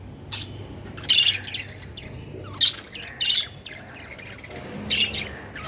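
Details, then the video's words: Several high, bright chirps from budgerigars arrive in separate bursts about a second apart, with soft scratchy chatter between them over a steady low background hum. "Beautiful budgies||parakeets"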